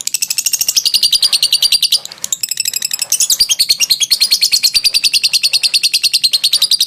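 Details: Ngekek trill of a lovebird, a long song used for training: sustained rapid shrill chatter, a short dip near two seconds, then a higher, denser run of notes through to the end.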